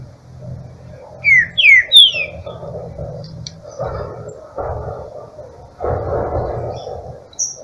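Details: Green-winged saltator (Saltator similis), a caged bird just coming out of moult, carried on a cold early-morning walk at 8 a.m. (13–14 °C) in Chile: a brief song of three quick, clear, downward-sliding whistles over a low murmur and a man's voice.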